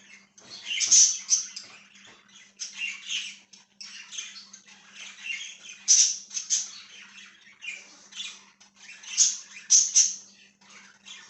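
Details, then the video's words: Budgerigar chirping continuously: repeated bursts of harsh, high squawky notes and scratchy warbles every second or so, loudest peaks around one, six and ten seconds, with a faint steady hum underneath. "#budgiechirping #birdsounds #parakeetsounds"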